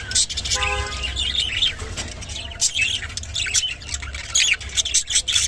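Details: Rainbow budgerigar, busy scratchy chatter of high squeaks and chirps with a short buzzy nasal note early on, calls coming in quick uneven bursts over a low hum.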